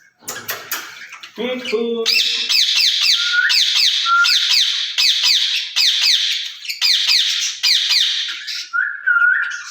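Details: Caged rose-ringed parakeets, two birds talking to each other: a continuous run of fast harsh grating squawks with short whistled upslurs mixed in, preceded by clicks and a low voiced sound.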